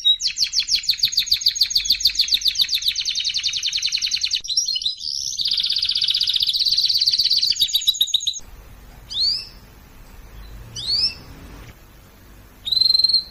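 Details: Canary used in song training delivers a long rapid rattling trill, then a smooth rolling tour; after a pause come brief scattered whistled notes over faint background hiss.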